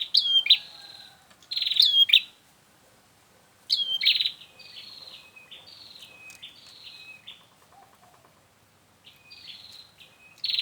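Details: Lure sound of bar-winged prinia used for trapping: strong bursts of sharp, buzzy chirps followed by softer, lower repeated notes trailing off, then renewed chirping near the end.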